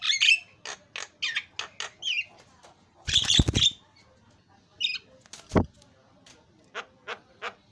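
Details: Javan myna singing actively after a lure recording, giving a string of short chirps and squeaky whistles, broken by a loud rough burst like wing flapping and a sharp, sweeping note.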